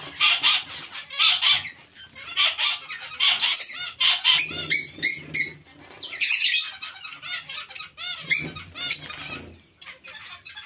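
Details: Busy zebra finch colony, with Bengalese finches also present, giving repeated honky, nasal calls in groups of three or four, overlapping squeaks and short chattering bursts, and light fluttering of wings throughout.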